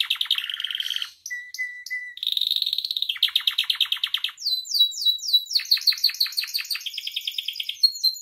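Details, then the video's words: Varied canary song for tutoring and provoking captive canaries. A long sequence of buzzy trills, flat whistled notes and fast repeated chips changes style every second or so, ending in high swooping figures. "SUARA KENARI AMPUH [#42] MASTERAN DAN PANCINGAN KENARI GACOR FULL ISIAN"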